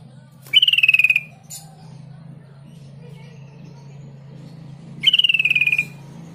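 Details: Sooty-headed bulbul (trucuk kebo) song played as a lure to draw bulbuls into answering: two loud, buzzy, trilled whistles that slide gently downward, each under a second, several seconds apart, over a low steady hum.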